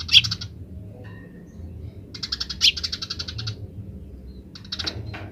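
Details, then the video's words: Eurasian tree sparrow in 'grece' chatter, with wild sparrows joining in: a sharp chirp opens, a pause follows, then a burst of rapid high ticking notes with one strong chirp, and another short chatter at the end. "suara burung gereja liar grece"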